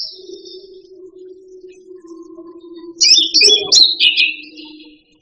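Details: A steady low tone hums throughout while a cucak rante songbird breaks in with a short burst of jumbled, high, slurred chattering notes.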